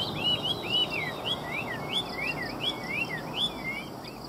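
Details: Chinese hwamei delivering a rapid chain of bright slurred whistles, each note swooping down or looping, several per second, loud and clean above a light hiss.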